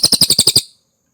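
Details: Cililin singing, for tutoring competition songbirds: seven rapid, bright, high chirps within about half a second, then silence.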